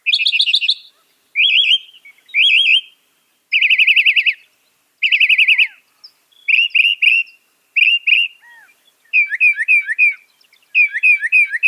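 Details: Mimicking northern mockingbird sings clear, loud trilled phrases, each repeated several times before switching, from rapid warbled bursts to shorter downslurred notes in quick series.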